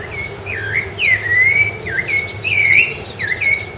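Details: Rufous-bellied thrush singing on Ilha do Governador, Brazil, in January 2013: a run of fluting whistled notes, each dipping then rising or sliding level, about six phrases in under four seconds over a soft low hum.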